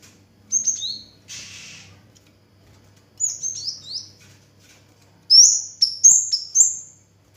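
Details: Kemade, or cigen, the orange-headed thrush, singing steadily. Bright, high whistled phrases come in three bursts, separated by brief pauses and a soft rustle. Each phrase is made of short notes that drop in pitch, and the last burst is the densest and loudest.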